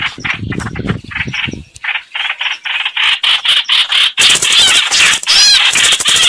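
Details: Streak-eared bulbul song played as a trapping lure: after a noisy, low rumbling start, rapid chattering, bubbly phrases repeated several times a second, growing louder and denser toward the end.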